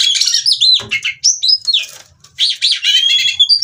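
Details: Female white-rumped shama from a Cirebon breeder, used to prompt singing: rapid whistled and scratchy phrases, a brief pause, then looping high notes resume.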